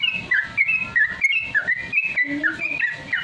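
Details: Sooty-headed Bulbul singing rapid ropel, a training lure for caged birds: quick sequence of bright whistled slurs, some dipping low then climbing, with a short lower whistle partway through.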